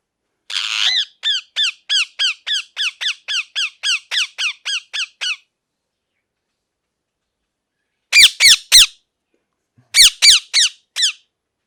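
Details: Parrot calling in a steady series of about fourteen sharp, sweeping squawks, roughly three per second, then falling silent before two short bursts of three and four similar loud calls.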